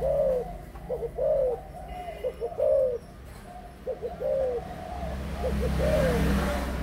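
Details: An adult spotted dove, recorded October 18, 2021, gives soft, low, hollow coos in short phrases, about eight notes in seven seconds, over a steady low rumble that swells at the end.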